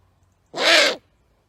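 A great horned owl gives a single harsh, hissing screech lasting about half a second, raspy and broad rather than hooted, in an otherwise quiet setting.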